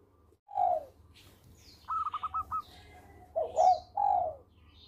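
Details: Local zebra dove in full song: a mellow coo, then a quick staccato run of five clipped higher notes, followed by paired rolling coos and a drawn-out falling note.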